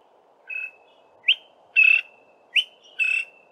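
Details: A male greater honeyguide in a tall pine tree gives its 'VIC-tor' advertising call, a sharp upslurred whistle then a longer burry note, repeated about every 1.5 seconds over a low hum; the sequence starts with 'tor' and ends with 'VIC'.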